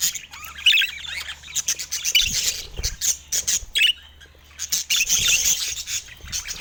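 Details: Budgerigars in San Diego morning sun give bursts of thin, scratchy chirps and short squawks separated by brief pauses, with one quiet gap before a final lively burst.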